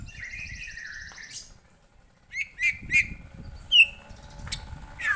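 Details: White-rumped shama responding to a lure recording: a buzzy trill followed by sharp, separated whistled notes and rising chips, with low rumbling background.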